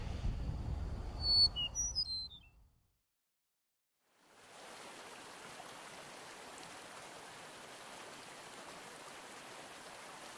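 Eastern Meadowlark sings one brief phrase of clear, high, slurred whistles that drop in pitch over a low rumble. After a pause, a steady rushing stream fills the rest.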